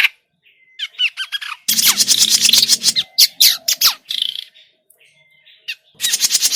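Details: Lure recording of grey-cheeked bulbul for bird trapping: a few short scratchy notes and thin whistles, then long runs of loud, harsh, rasping chatter broken by sharp squawks, a pause with faint whistles, and a final chattering burst.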